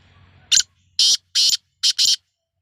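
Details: Sindhi-strain black francolin during the season's first try, giving five loud, harsh, scratchy notes: one short, two longer drawn rasps, then a close-set final pair, with silence around them.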